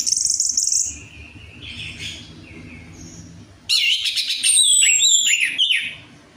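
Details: Orange-headed thrush song used as a lure to coax a reluctant bird into singing: high whistled notes and a buzzy phrase, a quieter gap with soft tones, then a loud burst of rich, varied twittering and sliding whistles.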